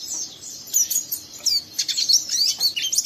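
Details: Young oriental white-eye kept as a cage bird, chattering harshly to draw a companion into song; short bursts of high, thin, scratchy twittering notes and quick slurred squeaks.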